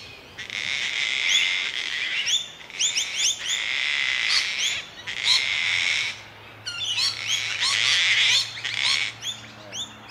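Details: Male Gang-gang Cockatoo in Melbourne, Australia, 8 July 2021, giving its "creaking door" call while inspecting a large tree hollow. Harsh, grating, creaky bursts about a second long, interspersed with squeaky upslurred notes, over a faint low hum.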